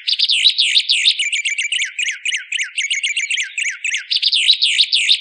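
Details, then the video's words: White-plumed honeyeater tutor song for training songbirds: a continuous rapid chatter of high, sharply rising and falling chirps, swept whistles and dense twitters, about three notes per second, bright and energetic, against an otherwise quiet background. "Download Masteran Burung White Singer"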